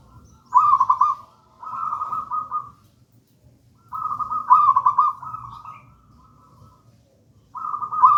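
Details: Zebra dove of local wild gedang rojo type, a master song for lure use: long phrases of pulsing rolling coos, each followed by a softer trailing trill, separated by pauses.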